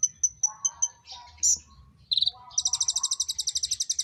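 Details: Common iora giving its mating call: five evenly spaced high whistled notes, a harsh buzzy note, scattered softer warbles, then a long rapid trill of sharp high notes repeated several times per second, with a low hum behind.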